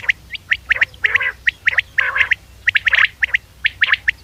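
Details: Common quail sounds played from a hunting cassette. Crisp, short whistled notes repeat steadily in twos and threes, with a few brief nasal, buzzy phrases between them, over a faint steady hum.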